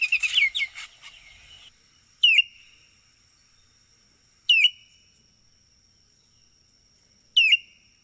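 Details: Baltimore oriole calling: short, sharp, downslurred whistled notes given singly about every two and a half seconds, after a brief burst of mixed chirps, with a faint steady high tone throughout.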